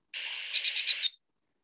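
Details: A Lesser Goldfinch gives a high, buzzy phrase of about four quick, brighter notes in just over a second, its flight call mixed into its song. No other sounds are heard.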